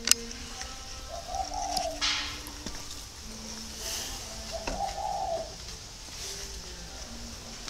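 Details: Captive spotted doves, parent birds cooing at about 9 a.m. while young birds sunbathe at a breeding yard in Ba Vì, Hanoi, Vietnam: low, soft, hollow coos in short phrases every couple of seconds, with higher chirps and faint hiss.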